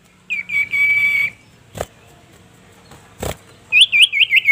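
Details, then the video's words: Common Iora (cipoh sirtu) calling a rival, recorded as birdsong training material: a long steady high whistle held for about a second, then sharp clicks, then a run of quick rising whistled notes. "masteran cipoh sirtu memanggil lawan"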